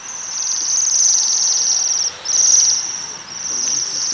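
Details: Feeding on rowan berries, Waxwings keep up a high, thin, metallic trill that breaks briefly twice, giving three long buzzing phrases.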